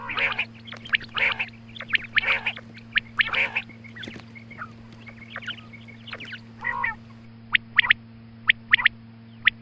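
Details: Female quail calling in the morning, a hunting call: sharp high notes in quick pairs and bursts, mixed with harsher harmonic chattering calls, over a steady low electrical hum.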